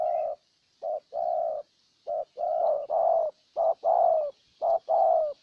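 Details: Spotted dove from Ninh Thuận, a decoy bird cooing to lure a wild dove; low, hollow coos in pairs, a short note then a longer falling one, repeated about once a second with brief pauses.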